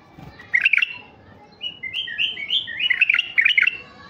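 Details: Stud male mutation white-eared bulbul singing to draw out wild birds: loud chattering bursts at the start and end frame a run of smooth, fluting whistles that step up and down, with a quiet background hum.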